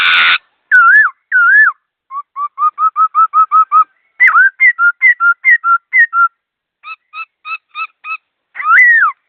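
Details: A laughingthrush sings quickly and cleanly. A harsh burst opens it, then come whistled slurs, a run of about nine evenly spaced rising notes, wavering whistles and sharp repeated notes, closing on a loud slur.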